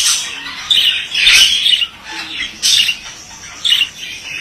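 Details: Scratchy, rasping chatter of a male budgerigar, loud grating bursts alternating with quieter murmured warbling.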